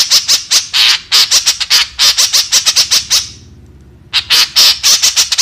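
A White-breasted Woodswallow gives rapid runs of harsh, high squawky notes, about four per second, with a brief pause before the chatter resumes.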